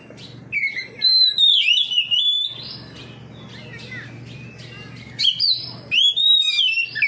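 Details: Oriental magpie-robin (kacer) singing in full 'ngeplong' style, answering another magpie-robin and unloading its repertoire: loud whistled phrases sliding between high and middle pitches, a quiet gap mid-clip, then a fresh burst of varied notes.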